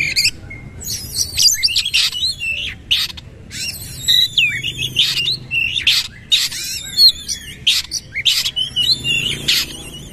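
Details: Kacer, the oriental magpie-robin, performing its powerful 'nembak' burst song with a bowing display: fast, varied high whistles, slurred upswept notes and harsh chattering phrases, broken by sharp clicking bursts, pouring out continuously for ten seconds.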